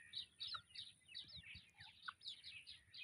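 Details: Captured white-breasted waterhen chicks peeping: high, slurred chirps repeated about three times a second over a steady faint hiss and low rumbling background noise.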